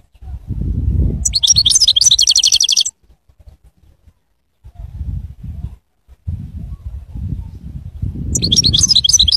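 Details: Goldfinch delivering dense, rapid, buzzy twittering runs of about one and a half seconds, two bursts heard, over steady low rumbling background noise.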